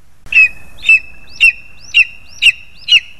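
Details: Lesser spotted eagle parents bringing food to the young, recorded 2 August 2020: six loud, high, clipped yelps at roughly half-second intervals above a thin continuous whine.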